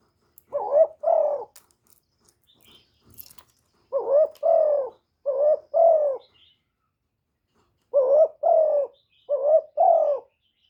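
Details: Spotted dove decoy cooing, played daily by keepers to excite other doves into calling, recorded without background noise: low mellow two-note coos, paired phrases in three bursts separated by pauses, with faint clicks between.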